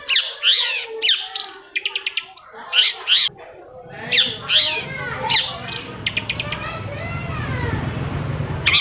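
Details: Long-tailed shrike song played to make quiet shrikes join in: harsh scratchy notes mixed with rising and falling whistled slurs and quick chip series, with rumbling background noise toward the end.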